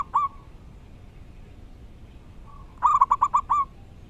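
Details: Local wild-type zebra dove (perkutut), in full voice and singing loudly and clearly: one soft cooing note, a quiet pause, then a quick run of about five rounded coos, all at the same pitch, over faint background hiss.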